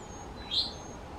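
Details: In a backyard in the North Carolina mountains, a male Eastern towhee foraging on the lawn in the morning gives a single brief, bright whistled note, rising slightly and lasting about a tenth of a second, over soft background hiss.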